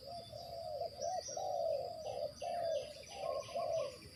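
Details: Spotted dove serving as a decoy for bird trapping, heard more distantly: smooth, low rolling coos linked almost continuously, with a hissy background and faint higher chirps of other birds.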